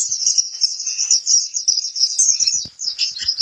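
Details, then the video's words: Training-recording song of a pleci kapur white-eye: a continuous rapid, very high warbling twitter, slightly buzzy, running without pause, with a few soft taps in the background. "suara burung pleci kapur"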